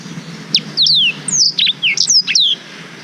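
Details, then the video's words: Black-throated canary (Blackthroat) sings a rapid run of high, sharp whistled notes, many sliding downward, in quick bursts over about two seconds; long-duration song used as a master recording for tutoring young canaries. "Suara Blackthroat Durasi Panjang Untuk Masteran Kenari"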